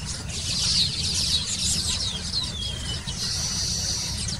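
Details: Baya weaver chatter: a dense wash of high, sizzling chirps and twitters with one thin descending note, all over a constant low background rumble.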